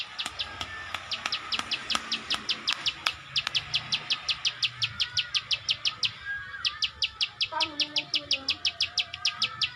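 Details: Plain prinia (ciwah, also called klik klik bird), singing energetically: a fast, steady train of dry, high clicking notes, roughly three per second, with a lower whistled phrase and faint background chirps near the end.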